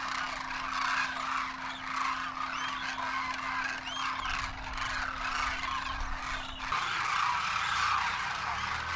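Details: Masses of wild Demoiselle Cranes wintering in Rajasthan, India, including juveniles on their first winter, trumpeting as they fly; thick, unbroken chorus of honking and purring calls with a steady low hum throughout.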